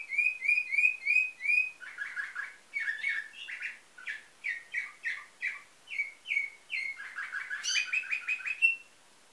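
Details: Nightingale-song canary from a Varna, Bulgaria breeder, 2013: five ringing whistled notes in a row, then long runs of quick buzzy chirps repeated about every half second, ending in a high trill.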